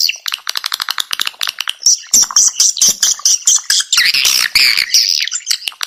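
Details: Swiftlet call played to attract the birds, opening with quick ticking clicks that give way to high, thin chirping trills and a harsh buzzy chatter.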